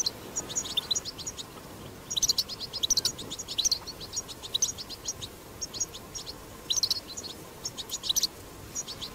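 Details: European goldfinch in the wild delivering 'batbata' song: repeated bursts of rapid, bright twittering every second or so, some louder tinkling phrases, over soft ambient noise.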